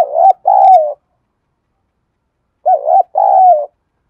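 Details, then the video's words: Spotted dove calling with a decoy bird that answers all day. Two loud coo phrases about two and a half seconds apart, each a short note followed by a longer falling coo, with silence between. "Tiếng cu gáy giọng đồng Gáy gọi + Thúc + / Nhạy bổi"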